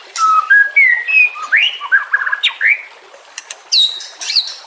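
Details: White-rumped shama song used as a lure and training recording for other shamas: clear whistled notes stepping upward, then a burst of varied rapid phrases with sharp high clicks and a final high whistled flourish.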